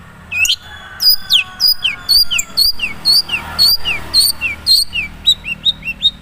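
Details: Original voice of a Madura long-tailed shrike, not yet rich in learned fill-ins: repeated high whistled notes, each dropping in pitch, delivered briskly in pairs and runs over a quiet background.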